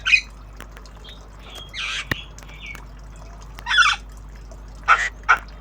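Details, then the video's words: Squawking calls from a tame Javan myna learning sounds: scattered harsh bursts and a few short whistled slurs, separated by pauses, with sharp clicks between notes. "Jalak kebo Obyogan Belajar Bunyi"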